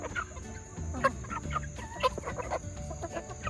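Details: Yard flock of second-generation junglefowl hybrids and game hens at feeding time, giving short clucks and chirpy notes about once a second over a steady high electrical whine and low background rumble.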